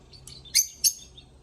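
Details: Brief lovebird singing: soft high twitters followed by two loud, sharp squeaky chirps about a third of a second apart.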